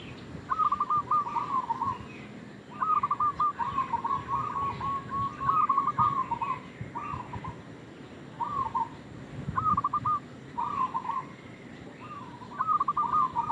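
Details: Lively local zebra dove lure call for baiting other doves, many rattling cooing phrases repeated every second or two, some long and some clipped, with light background hiss.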